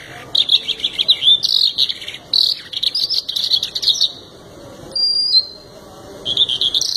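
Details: Canary in steady song: choppy high warbles and trilled phrases in short bursts, one thin very high whistle midway, then renewed rapid twittering.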